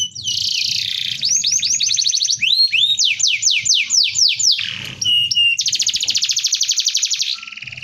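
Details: Canary rolling song for tutoring, dense and loud: buzzy trills, a run of sharp rising-falling sweeps about three per second, a short whistle, then a long rapid roll and a softer trill.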